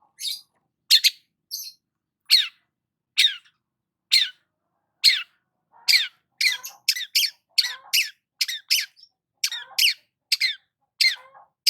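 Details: Long-tailed shrike in the morning sun, giving sharp, high, downslurred squeaky notes, sparse at first and then quicker and more clustered, with soft lower chatter under some notes.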